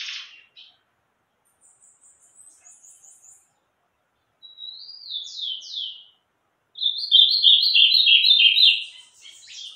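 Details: Ultramarine grosbeak singing the song style called Meia-noite: a short high note, a faint buzzy series, then clear whistles slurring downward, ending in a loud, rapid, warbled phrase of about two seconds against a quiet background.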